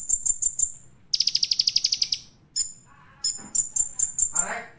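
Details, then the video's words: Olive-backed sunbird master recording meant to provoke other sunbirds: very high, thin notes, with a few sharp chips, a fast buzzy trill of about a dozen notes, then more bright repeated chips. "Kolibri Ninja Gacor Full Materi"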